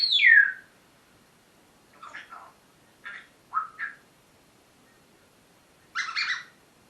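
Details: ["Pet parrot's morning talking session indoors: a loud descending squawk, then scattered short chattering sounds and squeaks separated by quiet gaps, ending in a louder raspy call."]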